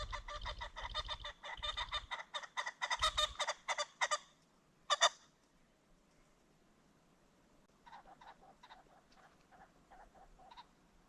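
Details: Ring-necked pheasant along a creek bottom at sunset: a rapid run of harsh, honking notes for about four seconds, one louder lone burst, then a softer scattered series of similar notes.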